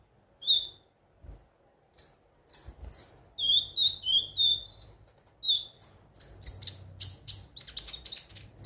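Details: High, lively ruby-cheeked sunbird song meant to spur birds to sing: a squeaky note, then a run of short whistled chirps stepping upward, ending in fast, dense chatter of thin ticks.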